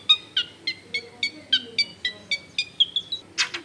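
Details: Long-tailed shrike in full song, used to lure other shrikes into singing: a steady series of short downslurred whistles roughly four per second, ending with a loud harsh burst.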